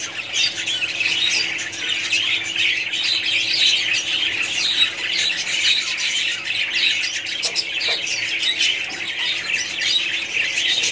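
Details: Steady loud chatter from a budgerigar colony, countless high twitters, squawks and warbles overlapping without a break, a few brief lower notes near the end.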